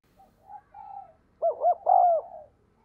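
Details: Decoy spotted dove giving an urgent cooing call to draw wild doves in. A few faint, soft notes lead into a loud coo of two quick arched notes and a longer, sustained closing note.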